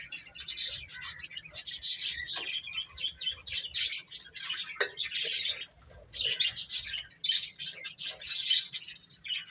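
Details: Young chicks busy eating and playing make a nearly continuous chorus of shrill, overlapping peeps that rises and falls in waves, with brief quieter gaps.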